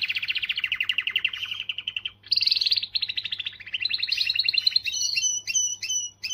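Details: Powerful canary song aimed at stirring females, made of continuous fast trills that drop slightly, a brighter burst after a short break, rising rolled phrases, and finally spaced sharp double-toned clicks; faint low hum in the background.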